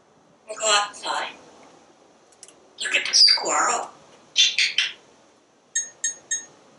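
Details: Pet parrot on a screened back porch, talking nonstop while watching squirrels and birds. It utters several short speech-like phrases with pauses, then a quick run of three sharp chirps.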